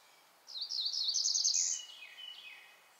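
Cerulean Warbler song: a quick run of high, thin notes climbing into a buzzy ending, then a few fainter notes as it trails off.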